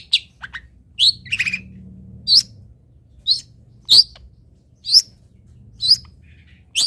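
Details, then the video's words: Long-tailed shrike singing on a training recording for caged birds to imitate: scattered sharp, high, rising-and-falling chips, roughly one a second, with a brief low buzzy rattle near the start. "MASTERAN CENDET ANTI GAGAL - CENDET MANAPUN IKUT BUNYI DENGAR INI"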